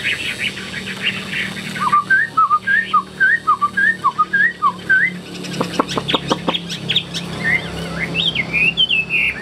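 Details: Tame captive Hwamei singing with spread, eagle-like wings: a series of lower, bouncing two-part whistles repeated rhythmically, then a rattle of quick clicks and high twisting whistled phrases.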